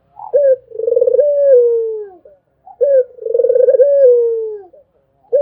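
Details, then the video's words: Barbary dove cooing: each phrase opens with a short clipped note, then a long rolling, vibrating coo that slides gently downward. Two phrases come about two and a half seconds apart in a quiet setting. "SUARA ANGGUNGAN BURUNG PUTER !! GACOR TIADA HENTI ll SUARA BURUNG PUTER MERDU"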